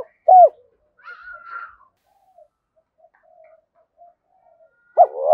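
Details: Spotted dove calling to draw in wild birds: a short, loud, low coo at the start, a softer higher hoarse note just after, long faint quiet stretches, then a strong wavering coo at the end.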